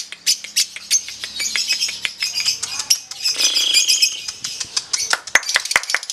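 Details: Lovebird in a singing contest delivering a long ngekek chatter, a continuous stream of high scratchy chirps and trills with a steady whistled tone mid-way, sharp clicks toward the close.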